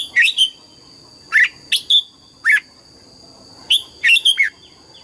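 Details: Red-whiskered bulbul singing in the morning, coaxed into double-note 'già rừng' song: lively bursts of bright whistled and warbled notes, paired and tripled in quick succession, with brief pauses between phrases, a thin steady hum underneath.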